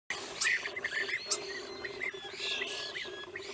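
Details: Wild European bee-eaters in Romania, 2016: short, rolling, arched calls near the same pitch, repeated in quick series by several birds, with higher chirps from other birds and a steady low hum underneath.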